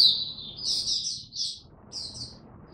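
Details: Hobby oriental white-eye in cold rainy weather: short bursts of high, chirpy twittering over a steady low background rumble, ending in a brief trailing phrase.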